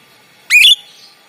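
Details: Jalak rio rio, a Rio Rio myna kept as a tutor bird for other songbirds, in full song: one piercing whistle that rises steeply, then holds with a slight warble for a fraction of a second, followed by a faint trailing tone.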